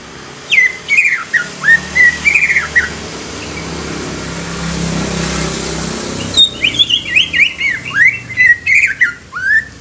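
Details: Young greater green leafbird used as a lure to stimulate other leafbirds, giving loud clear whistled phrases that rise and fall, a burst at the start and a faster run of varied notes after a quiet gap, with low background hum.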